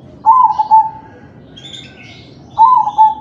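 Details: Crossbred zebra dove of kalung tempuk pattern cooing from its perch to get other doves singing: two rich phrases of quick stuttered notes sliding into a longer held tail, faint chirps between.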